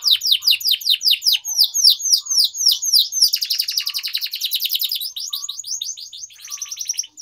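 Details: Canary singing continuously for training young birds, long series of quick falling chirps merging into dense rolling trills and buzzy runs.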